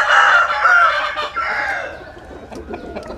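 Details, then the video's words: A rooster in the Mekong Delta region of Vietnam gives a long, strained crow that starts loud and slowly fades and thins out over three seconds, with faint clucks near the end. "Nghe Gà Gáy"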